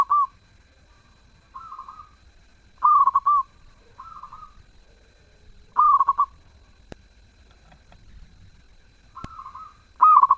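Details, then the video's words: Zebra dove singing actively with a sweet voice: loud rolling coo phrases every few seconds interleaved with softer, plainer coos, plus a single sharp click. "Perkutut gacor suara merdu"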